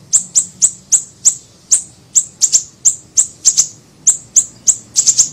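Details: Siri-siri bird, a small bird, recorded for use as a lure and training recording: sharp, very high chirps repeated in a quick irregular series, often in close pairs or triplets, with a faint low hum beneath.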